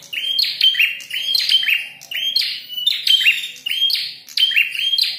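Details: Fighting prinia with a red head gives a lively run of sharp, buzzy chirps in rapid clusters, restarting about once a second, with high thin whistles laced through the bursts.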